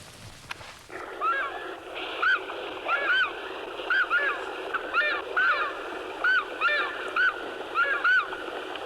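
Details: In Fiordland's Murchison Mountains, New Zealand, scientists play a recording of a male takahe's territory call to locate birds: loud, clipped, ringing notes, a little faster than once a second, over a thin, muffled hiss.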